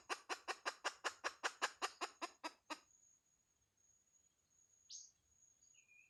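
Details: Hen delivering a quick run of about thirteen loud, gritty clucks over under three seconds, followed by near silence with a faint steady high tone and one short chirp.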